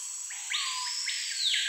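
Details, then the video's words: Screaming piha (cricrió), called the noisiest bird species, in the Amazon rainforest: a loud, ringing whistle sweeping sharply up, holding high, then dropping, after a low whistled lead-in, over a steady insect drone. "CANTO do CRICRIÓ (LIPAUGUS VOCIFERANS) SCREAMING PIHA"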